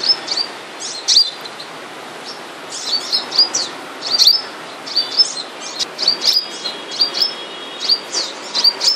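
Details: High, thin chips from a caged flowerpecker in moult, the local seven-colour bird, delivered in loose clusters of two or three notes with gaps of about a second, quiet hiss behind.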